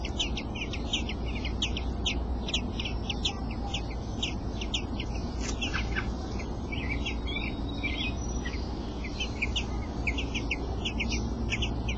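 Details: Robin chicks, eight days old, in the nest while their father feeds them: a steady run of short, high, thin cheeps repeated several times a second, over a constant low rumbling background noise.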